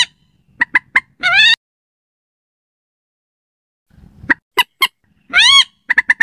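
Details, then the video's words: Slaty-breasted rail lure call for night use: a few sharp notes and a harsh squeal, a long pause, then more clipped notes and another squeal. "suara pikat burung mandar batu, cocok buat malam hari"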